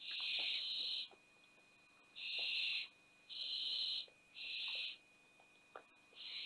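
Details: Nest-box barn owls in Théding, France, recorded 20 September 2021 as the youngest owlet fell from the box. Four full breathy hisses of under a second each, separated by short silences, then a fifth begins.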